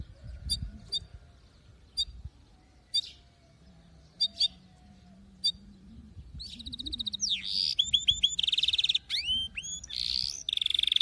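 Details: Singing canary: scattered short, sharp high chips at first, then a long, varied song of rapid buzzy trills, rising and falling sweeps and steady whistled rolls, loud and continuous toward the end.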